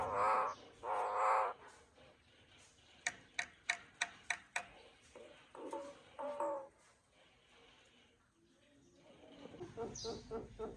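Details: Common myna in the morning giving two loud, harsh croaking notes, then a quick run of sharp clicks and a rapid chattering series of varied notes.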